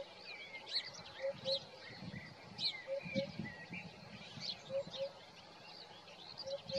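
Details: A Eurasian hoopoe's morning call: soft, low hooted pairs, 'oop-oop', repeated about every two seconds, under busy higher chirping from other birds and a low background rumble.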